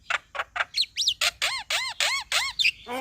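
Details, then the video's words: Song of a male Javan myna used to provoke a lazy-singing myna: fast series of arched, nasal rising-falling notes, about three or four per second, finishing with a long steady whistle. "Kicauan Jalak Kebo Jantan Bikin Jalak Kebo Malas Bunyi Jadi Emosi"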